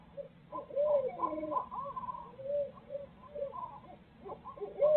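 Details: Barred owls at the nest in Midtown Tulsa, parents sharing duties; loud, wild caterwauling with rising and falling hoots, cackles and a final upslurred wail, several voices overlapping.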